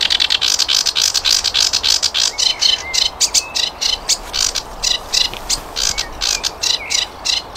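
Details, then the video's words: Flycatcher known as sikatan londo, in a recording for tutoring cage birds. Fast, continuous rattling chatter of harsh high notes, about three per second, with brief lower warbled phrases woven through. "Masteran Burung Saingan Berat Sikatan Londo"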